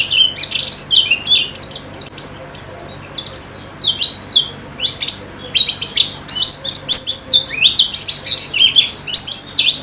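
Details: White-eye song used as therapy audio to make the bird start singing quickly and sing more vigorously: a dense, high-pitched twittering of rapid chirps and slurred whistled notes, in near-continuous bursts throughout, with a faint low hum beneath.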